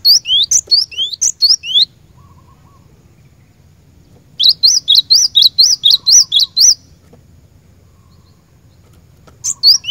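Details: Cinereous tit song, played as a lure to get caged birds singing: bursts of rapid repeated rising whistles paired with high sharp notes, a long fast run in the middle, separated by quiet pauses with low hum.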